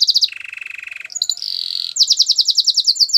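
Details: Belgian canary singing for training: brief fast notes, a low buzzy trill, a higher rolling trill, then rapid repeated falling whistles.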